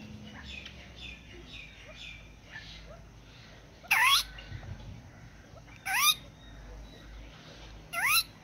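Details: Red golden pheasant: loud sharp calls about every two seconds, each a bright broad burst sliding down into a falling whistled note, over a background of faint high chirps from other birds and low steady noise.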